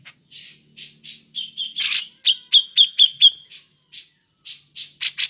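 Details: Grey-cheeked bulbul giving ngepik calls to lure other birds: scratchy harsh notes mixed with a short run of sharp repeated 'pik' notes, then more loud rasping calls.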